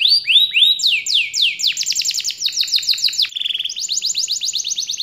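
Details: Canary kept in a private collection, singing a loud, clean run of rapid downward-sliding whistled notes, changing from one repeated syllable to the next, with a short buzzy trill partway through and no background sound.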